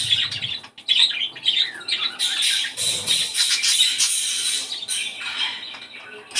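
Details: Pet budgerigars warbling to encourage breeding: a long, dense stretch of buzzy, scratchy chatter and bright squeaks from several birds, louder in the middle, with faint low thumps.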